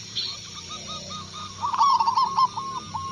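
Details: Answering a lure call, a local Indonesian zebra dove gives a loud run of rapid rolling coos in the second half, following quieter, evenly spaced cooing notes.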